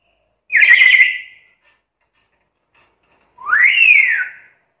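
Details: Black-capped lory, described as very chatty and able to talk, giving two loud, harsh, slurred calls about a second long, the first falling and trailing off, the second rising and then falling, separated by silence.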